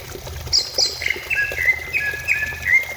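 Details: Greater green leafbird song meant to prompt a kept bird to sing: a short burst of high whistled notes, some dropping, then repeated flat whistles with upturned ends, over faint low rumble.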